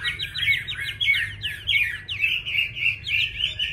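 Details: Caged Chinese hwamei in full song: fast jumbled series of sharp slurred chirps and short whistles, with steady low background hum.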